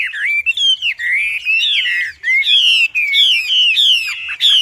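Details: Wambi singing loud and hard, suitable as a master song for training birds: long high whistled slurs, mostly falling, strung together with brief breaks.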